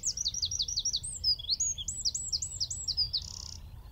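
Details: Eurasian wren singing from a tree at Wicken Fen, about 15 m away, recorded by phone through a telescope with a shotgun mic: a fast, loud run of high, sharp repeated trills and twittering notes without pause, ending in a buzzy rattle.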